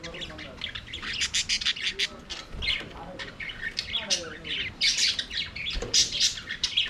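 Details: A flock of aviary budgerigars singing and playing: dense, continuous chattering warble of rapid high chirps, squeaks and scratchy notes tumbling over one another, rising in loud bursts with almost no pauses.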